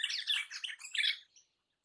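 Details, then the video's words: Crimson rosella (Platycercus elegans) lets out a short burst of harsh, scratchy, high-pitched chattering, about a second long, then falls silent. "Crimson Rosella Call. Crimson Rosella Sounds. Crimson Rosella Song. Crimson Rosella Noise."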